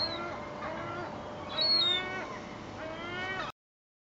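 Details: Gulls crowding for bread at Fleetwood Docks on a sunny 7/8/2012 give hoarse, descending mewing cries, one sharper shriek in the middle, over a constant low background hum.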